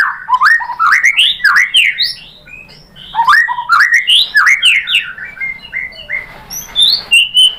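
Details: Murai batu (white-rumped shama) song used as a provoking track to stir other birds to reply: rapid clustered bursts of rising, warbling whistles, a short pause, then more bursts and a few high thin notes at the end.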